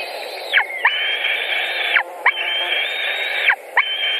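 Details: White-tailed eagles at a nest in Latvia, 14 June 2019, mid-afternoon, during a feeding after a pike delivery: long, drawn-out, whining whistled notes with rich overtones, each about a second long and ending in a sharp downward slide, over a steady low hum.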